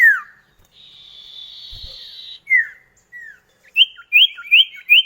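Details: Common iora duet lure song for prompting kept birds: a long flat buzzy note, a couple of falling slurred whistles, then a quick run of short rising whistles.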